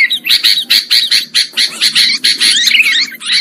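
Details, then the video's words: Sooty-headed bulbul calls used as a lure for trapping birds: dense, harsh, chattering notes in rapid bursts about twice a second, with some brief slurred whistles, and no other clear sounds. "Suara Pikat Burung Kutilang Ampuh"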